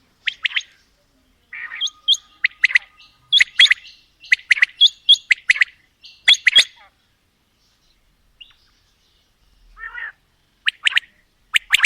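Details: Male and female quail calling together: rapid clusters of sharp, clipped three-note calls in quick bursts, a pause, then a few softer chirps and more three-note calls.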